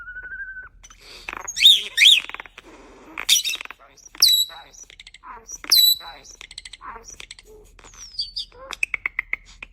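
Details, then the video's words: Starling imitating human speech: a steady whistled tone opens, then a dense run of speech-like harmonic bursts mixed with sharp high chirps, descending whistles and a closing series of rapid clicks and buzzy notes. "A starling that makes sounds like a human."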